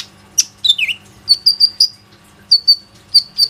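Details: Plain-throated sunbird used as a lure to get other sunbirds singing, recorded on an Oppo A37f phone. A few sharp slurred notes, then a string of bright, high piping whistles on one pitch, spaced roughly a quarter second apart.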